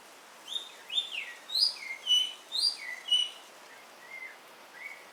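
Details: Javan myna chattering while rain falls: a string of clear whistled and slurred notes, some rising, some dropping, about two per second, loud and busy for three seconds, then softer, sparser phrases over a steady hiss of rain.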